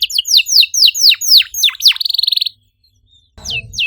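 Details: Canary sings a series of bright downward-slurred whistles, then a fast tight trill, a brief silence, and more falling notes over a short low rumble of background noise.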